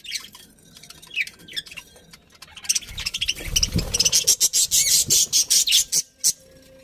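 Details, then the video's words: A colony of happy budgerigars twitters softly, then breaks into a fast string of sharp, evenly repeated chirps, with some low thumps among them. "Happy Budgies Chirping Sounds"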